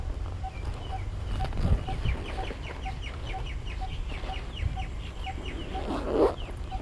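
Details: Coppersmith barbet calling at Punggol Seventeenth Avenue, Singapore: soft, evenly spaced low tonk notes roughly every 0.4 seconds, with another bird's repeated chirping series above, and steady low rumbling background noise.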